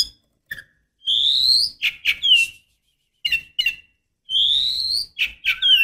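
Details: Female oriental magpie-robin calling to stir a male: drawn-out rising whistles mixed with sharp chirps and short buzzy notes, coming in two similar bursts.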